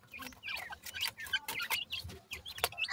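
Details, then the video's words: Dakhni teetar francolin chicks at play give dense, rapid high chirps and twittering peeps, overlapping one another, over a background of scuffling and knocking sounds. "titar cheks ke voice"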